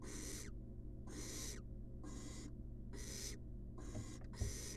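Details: Long breathy screeches from a wild barn owl chick being fed a rat in a monitored nest box, roughly one per second, each a broad hiss with a dropping end, plus a soft click.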